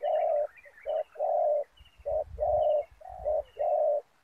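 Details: A spotted dove gives low, hollow coos in a run of short and drawn-out notes over faint rumbling, during dove trapping with a decoy bird on the ground beside snares.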